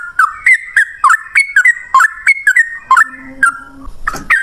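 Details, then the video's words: Yellow-vented Bulbul lure song in the 'ropel ngalas' style for drawing replies from other birds; quick liquid notes rising and falling in a steady chain, with a faint low hum underneath and a rustle near the end. "suara trucukan gacor ROPEL NGALAS, pancingan trucukan agar bunyi jadikan burung trucuk nyaut gacor"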